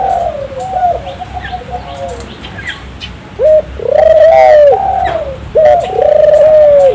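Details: Lively turtle dove song meant to prompt local doves to join in: soft, uneven cooing early on, then two loud, long, slightly arched coos, each opened by a brief upward note.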